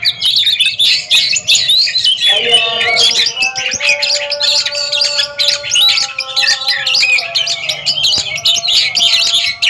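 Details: Two Oriental magpie-robins duel in song, trading continuous, rapid, buzzy and whistled notes in a rich jumble, with faint steady tones below.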